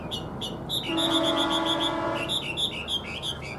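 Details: A tame caged Chinese hwamei sings, growing more fired up the longer it goes: clear high whistled notes in short repeated bursts, with a steady low droning tone in the middle and background noise.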